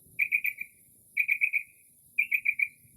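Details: Northern mockingbird (Mimus polyglottos) singing mimicry song late at night in early spring outside a home, a quick burst of four bright chirpy notes repeated about once a second, thin high hiss behind, quiet with no urban noise.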